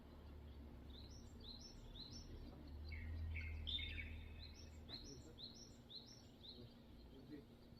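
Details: Unknown bird at dawn in summer, cloudy weather, Bunam beach: rapid series of high, sharply slurred chirps in even runs, one louder note in the middle, over a low constant rumble.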